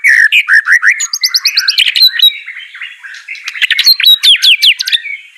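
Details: White-rumped shama singing, meant to spur a lazy bird into full song: rapid series of rising whistled notes, fast buzzy trills high up, then a long varied run of sharp chirps and slurred phrases.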